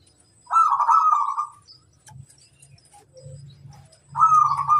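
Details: Local zebra dove kept as a master bird, singing vigorously: two rolling, trilled coo phrases, each about a second long, separated by a quiet gap with faint low rumble.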